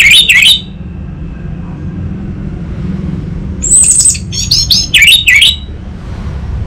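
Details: Orange-headed thrush with a brief warbled phrase at the start, then after a quiet gap a string of sharp, high chirps and whistles repeated quickly.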